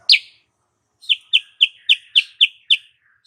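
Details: Lure call of a female sooty-headed bulbul, played to stir male breeding urge. One loud sharp note, a pause, then seven crisp descending chips repeated roughly every quarter second, with a clean quiet background.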